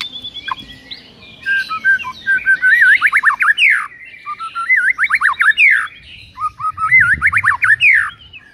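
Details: White-rumped shama song, recorded in the morning for training that provokes rival shamas: rich, varied whistled phrases with slurred rising and falling notes, repeated in bursts, with faint low background rumble.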